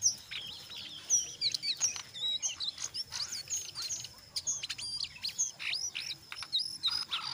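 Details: Brown jongkangan in full chattering song, the busy ngeriwik style mixed with ngeplong, used as a lure to get other jongkangan singing: dense, rapid high twittering with quick whistled slurs and sharp chips, almost without pause.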